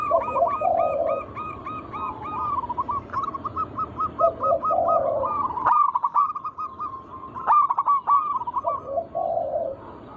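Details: Vigorous song of local zebra doves played as a lure to set other doves singing: repeated bursts of fast, bouncy coo notes alternating with low purring rolls, a few sharp clicks between phrases.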